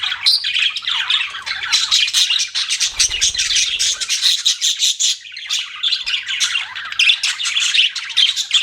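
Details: Several budgies chirp nonstop, a thick layer of high twitters, buzzy squeaks and warbling phrases, with a soft low rumble briefly underneath.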